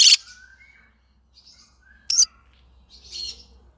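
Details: Yellow-sided green-cheeked conure: a sharp opening squawk, thin rising whistled notes, a short harsh chirp, then a soft raspy chatter.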